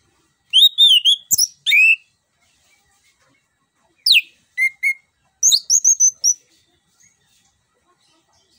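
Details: Orange-headed thrush song used to lure a silent or lazy caged bird into singing: loud whistled phrases in short bursts, rising and falling notes and sharp upslurs, separated by brief pauses.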